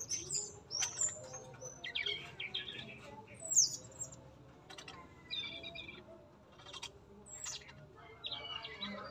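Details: Tame male sikatan emas, or yellow-rumped flycatcher, in a breeding enclosure: fairly faint, scattered high chirps and short twitters with gaps between them, amid a soft, busy background.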